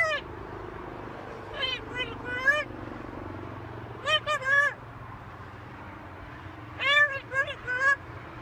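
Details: A pet talking macaw speaks in four short bursts of harsh, speech-like syllables, each about half a second to a second long, over a low steady hum; it says phrases like "hello" and "I love you."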